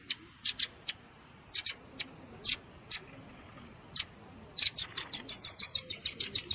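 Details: Velvet-fronted nuthatch lure recording with juvenile calls added: widely spaced, doubled high chips at first, then a rapid, regular trill of shrill notes closing the passage.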